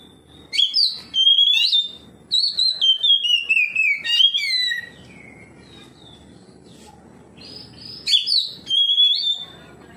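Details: Oriental magpie-robin in full song answering a rival magpie-robin, pouring out varied clear whistles that step downward, quick chips and rapid trills, then a short silence before more bright whistled notes.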